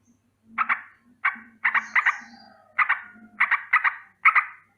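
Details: A sooty-headed bulbul in the morning gives alarm calls: spaced clusters of two or three harsh notes, with a low buzzing sound beneath and a faint whistle.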